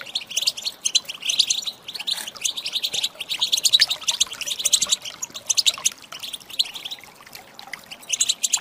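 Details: Stimulating calls of a female European goldfinch aimed at prompting male song; long, dense twittering with bright clicks and chirps, in surging bursts that ease off toward the end.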